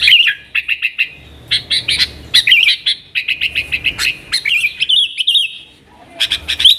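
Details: Lure song of a yellow-vented bulbul in nggaruda style for wild sooty-headed bulbuls: clipped groups of quick chirps separated by short gaps, with looping whistled phrases in the middle.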